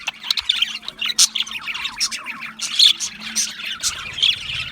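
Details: Budgerigars squawk and chirp in lively bursts. Short downward-slurred twitters repeat quickly, with a few shrill squeaks over the group's chatter.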